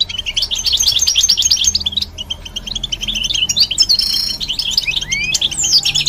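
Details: Lively European goldfinch song of tumbling high twitters, ending in several clear upward-sweeping whistled notes.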